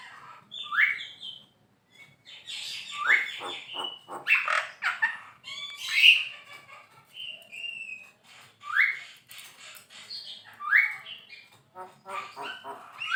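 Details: Javan myna song recorded as master audio for training songbirds: quieter phrases of short upward-sweeping whistles alternating with scratchy rattling bursts, separated by brief pauses.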